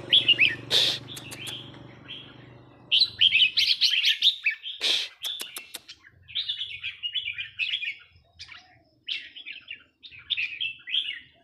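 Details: Burmese-origin red-whiskered bulbul in counting-flower style song: rapid high warbling phrases in bursts, broken by loud sharp clicks and knocks, with a low hum early on.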